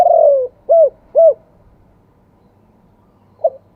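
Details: Spotted dove in the two-kuk wild style. A long descending coo is followed by two short arched coos. After a pause, a single soft note begins the next phrase. A quiet low rumble sits underneath.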